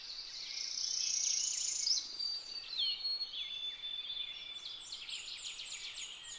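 Purple finch singing a fast, bright warble of high slurred and chirping notes, ending in a quick run of sharp notes, over a faint background hiss.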